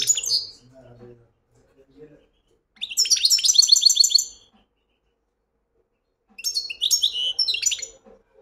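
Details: European goldfinch song delivered in separate bursts of fast, ringing, high twittering, each lasting one to two seconds, with quiet gaps and faint low background sounds between them.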